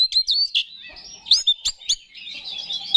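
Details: Caged Oriental magpie-robin, a contest songbird, singing to rouse rival males: loud clipped whistles and chirps in separate bursts, followed by a softer rambling warble at the end.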